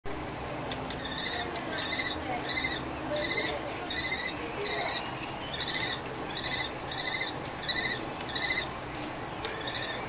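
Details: Common kestrel female calling loudly on a balcony nest site in Brno-Bohunice while her mate fights another male over the nest. Harsh, rapid trilled bursts repeat about twice per second for ten seconds over steady background hum.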